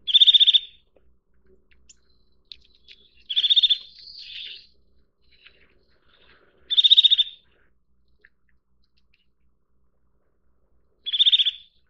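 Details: Repeated fast trills from a Eurasian nuthatch: four bursts of quick, bright piping notes at irregular gaps of three to four seconds. A brief buzzy murmur follows the second burst, and light ticks sound in between.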